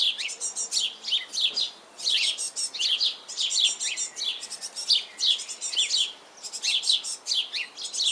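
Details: Hungry young great tits call for their parents to feed them: bursts of shrill, high, overlapping begging chirps, swelling roughly once a second with brief lulls between.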